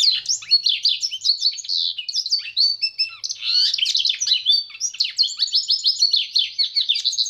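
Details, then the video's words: Pintagol, a goldfinch and canary hybrid, singing a fast, continuous warble of high chirps, trills and quick rising and falling twitters that runs without pause for the whole stretch. "PINTAGOL EM CANTO"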